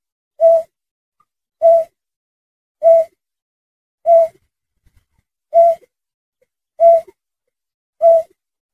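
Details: Berkik, or burcet, a sandpiper, calling for luring: seven mellow, owl-like single hoots, level in pitch and evenly spaced roughly every 1.2 seconds, in quiet surroundings.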